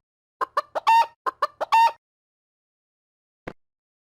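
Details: Chicken clucking: a burst of short, clipped, nasal clucks in quick succession, two drawn out into louder squawky notes, then silence with one brief click.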